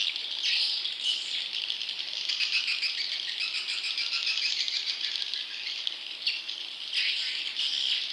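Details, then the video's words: Swiftlet chick calls played to attract wild young swiftlets, heard as a steady rasping, buzzy twitter, high and hissy, with brief rattling bursts and no gaps. "Suara Walet Anakan Super"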